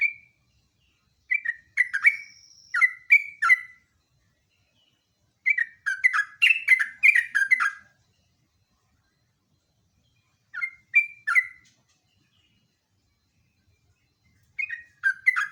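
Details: Sooty-headed bulbul (jogjog or trucuk) in ngeropel lure song: four separate bursts of bubbly, descending whistled notes divided by silent gaps, with a brief steady high tone early on.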